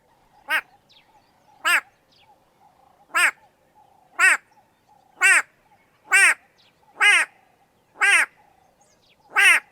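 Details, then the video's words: White-bellied go-away-bird in Kenya gives loud, harsh, nasal 'gwaa' calls, nine in ten seconds at an uneven pace, over a faint steady background hum; the name comes from calls sounding like 'go away'. "The extremely annoying sound of the White-bellied go-away-bird"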